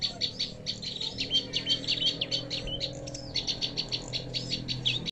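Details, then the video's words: Prinia call used as a lure for trapping birds: rapid, high chirping notes repeated almost three times a second without pause, over a steady low hum. "mikat burung prenjak"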